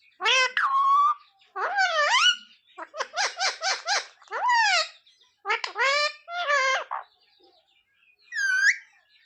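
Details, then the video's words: Talking parrot voicing "sita-ram" and "jay shree ram": chattering, word-like phrases with a quick stutter of clipped syllables, gliding shrill tones, and one high squeak at the end. "Parrot talking sita-ram🚩parrot talking jay shree ram"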